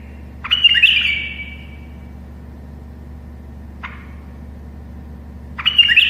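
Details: Tame bulbul singing as a model for other bulbuls learning to sing: a rasping, chattering burst trailing off slowly, a short click near four seconds, then another harsh burst starting at the end, with a constant low background hum.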